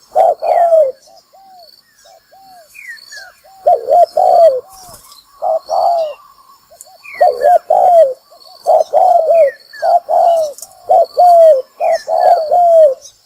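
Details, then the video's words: Trapping lure of spotted doves: a long series of low, hoarse coo phrases, short and drawn notes alternating, growing denser toward the end, with softer answering coos, thin falling whistles of other birds and light clicks. "Tiếng chim cu gáy mồi kích bổi đá lụp"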